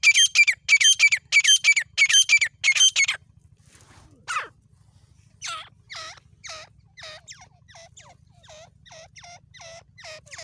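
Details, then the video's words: Grey francolin, local name tateer, in jungle: a burst of loud shrill high calls, a pause, then a long series of evenly spaced short descending notes, a steady low hum in the background. "Jangle ka tateer beautiful voice dakhni Tateer"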